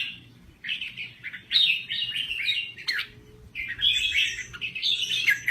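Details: Red-whiskered bulbul of Thai stock in lively song: bursts of rich warbling and chatter separated by a quieter pause, over a steady low background hum.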